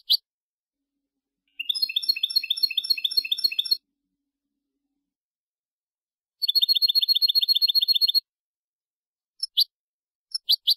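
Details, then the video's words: European goldfinch Malagueño song for teaching young goldfinches: two bursts of fast, metallic high trills, each about two seconds long, separated by silence, with a few isolated sharp notes near the start and end. "Nuevo CD malagueño para educar jilgueros EL TENOR DE MALAGA 2022/2023"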